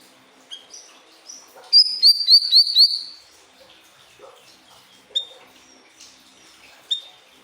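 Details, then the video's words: Pied triller song played as a tutor for other cage birds: a fast run of five sharp, high, downward-slurred notes, then scattered thin chirps and short whistles with pauses between them. "Masteran burung siri-siri"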